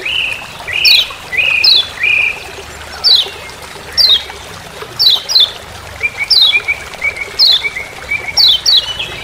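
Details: Lemon-bellied white-eye (Lombok) in forest giving sharp, high, descending "ciak ciak" chip notes, some paired, mixed with thin level whistles, repeated irregularly; other birds faintly behind.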